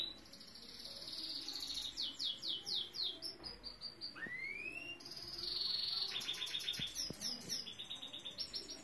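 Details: Saira canary song built from fast repeated trills that change every second or so, with a single rising slurred whistle in the middle and buzzy rolling passages at the end.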